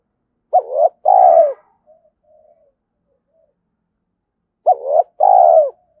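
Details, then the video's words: Spotted dove coos for exciting a decoy dove: a pair of low phrases roughly four seconds apart, each pairing a short upswept note with a broader descending coo; soft murmurs trail after the first phrase. "tiếng chim cu gáy kích bổi"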